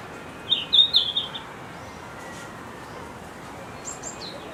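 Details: A red-flanked bluetail at Higashiyama Zoo sings a quick, high phrase of four or five thin, sweet notes, then a fainter high echo of notes, over a soft background hiss.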